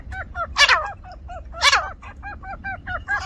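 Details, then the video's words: Grey francolin (teetar), village style: two loud, rasping, ringing bursts over a steady train of short, falling, whistled notes. The notes repeat about three times a second, and a faint hum runs beneath. "gery francolin teetar ki zabardasth sound"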